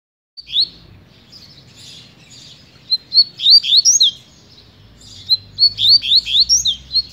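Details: Double-collared seedeater, a "7 vidas" speed-singing (velocista) bird, singing two quick bursts of sharp, high, slurred notes, each swooping up or down, with a brief pause between bursts.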